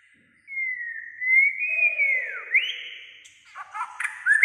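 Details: White-rumped shama singing nearly all day with varied voices: a long drawn whistle sliding down and up, a sharp rise, then harsher broken notes with clicks at the end, faint low hum beneath.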